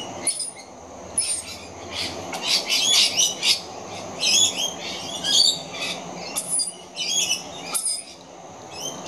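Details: Two very young rainbow lorikeets screeching for food: bursts of harsh, high-pitched, scratchy screeches in clustered runs, loudest around the middle, with brief pauses between bouts and a faint low hum underneath.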